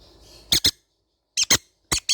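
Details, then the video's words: Baby green-cheeked conure parrots: harsh, shrill paired squawks, three quick doublets in about two seconds after a faint low hum. "sound of baby green cheek conure parrot birds"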